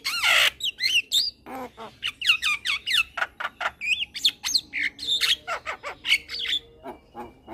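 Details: Young male Javan myna in captivity, bobbing its head while singing hard. Fast chattering run of rasping, buzzy and whistled notes, many each second, varied in pitch and largely unbroken.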